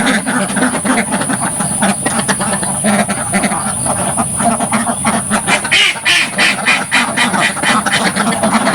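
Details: A large group of ducks in a simple village farm pen quacks loudly at close range, a rough chatter of rapid overlapping calls, roughly four per second, with a faint steady hiss.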